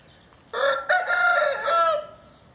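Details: Crowing by an Oriental gamefowl (Hint Horoz) cock in March 2012, from a pair of an old 4.1 kg black and silver rooster and his colourful son: one harsh, three-part crow, the last segment long and level.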